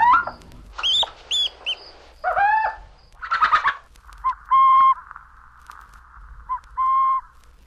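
Burrowing Owl giving harsh chattering and rasping notes, then several clear, short cooing or whining notes, each about half a second long, spaced a second or two apart.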